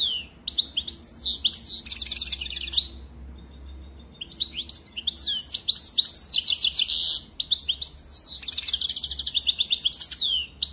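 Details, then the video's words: Sustained song of a European goldfinch: bright tinkling twitters mixed with repeated buzzy trilled passages and a brief steady whistle, against a low background hum. "Très beau Chant"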